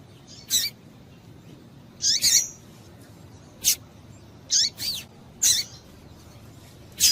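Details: Female double-collared seedeater giving calls meant to stimulate a male: repeated short, high, scratchy chirps roughly every second or two, some doubled, over soft background hiss.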